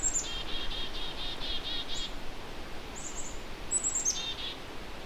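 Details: Agitated black-capped chickadees in late May on the Huron Fringe, eastern shore of Lake Huron, near an old dead birch: a high thin note, a run of about eight quick buzzy notes, then more high thin notes over steady low wind rumble.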